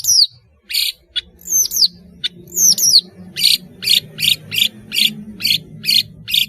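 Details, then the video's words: Melodious song of a long-tailed shrike, intended as a lure for juvenile shrikes to learn from: several high whistles dropping sharply in pitch, then a steady series of eight harsh rasping notes roughly every half second over faint rumble. "BURUNG PENTET GACOR SUARA MERDU"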